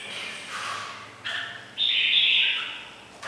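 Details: Red-whiskered bulbul, củ đậu type, ringing bell-like voice: a brief quieter note followed by one loud sustained bright whistled phrase.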